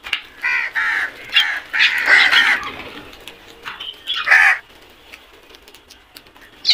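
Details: Flock of black crows calling: harsh, hoarse caws in overlapping bursts, several voices crowding together in the first three seconds, a loud pair of caws near four and a half seconds, then quieter scattered calls.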